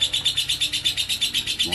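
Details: High, rapid pulsed chattering from a lovebird in ngekek konslet style, regular beats of about seven per second over under two seconds.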